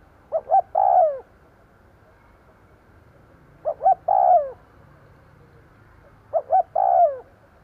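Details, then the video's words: Spotted dove decoy calling to draw in wild birds. It repeats the same phrase three times, roughly every three seconds: two clipped coos, then a long coo that sags in pitch at its end. "Tiếng cu gáy mồi gù gáy kích bổi nhanh nổi"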